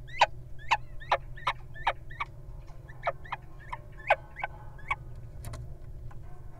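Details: Wild little owl guarding its mate as the partner enters a nest box: a rapid series of sharp, yelping notes, each falling in pitch, repeated about every half second, over a steady low hum.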